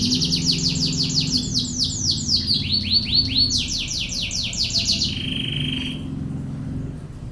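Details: Canary song recorded for masteran (tutoring other canaries), in the rapid tembakan ngebren style: a quick run of repeated downward-sweeping whistled notes in bursts, then a level buzzy note, with a constant low hum underneath.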